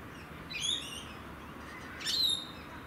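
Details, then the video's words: Rainbow lorikeet from Australia giving two rasping, high screeches roughly a second and a half apart, with a constant hiss behind. "Rainbow Lorikeets of Australia - Nature Sounds"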